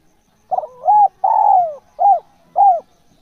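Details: Spotted dove, described as a natural, persistently calling bird, gives one cooing phrase: a stuttered double note, a level coo, a long drawn coo sliding downward, then two short arched coos, in a quiet setting.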